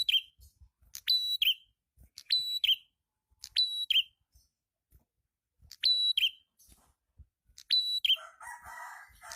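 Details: Lively prinia song used as a lure: repeated phrases of a sharp click, a level high whistle and a short descending slur, given about every one to two seconds, with a low buzzy rasp at the end.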